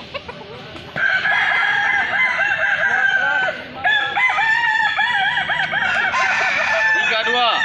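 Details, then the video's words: Balenggek roosters crowing at a festival in Solok City. After a quiet first second, loud overlapping crows begin. Chains of quick looping syllables repeat several times a second, with a brief dip in the middle. "festival ayam kukuak balenggek Kota Solok"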